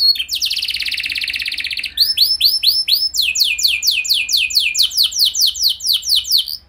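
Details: Canary song played to trigger other canaries into singing, opening with a buzzy rolling trill, then series of arched whistled notes repeated about three per second, high and clear.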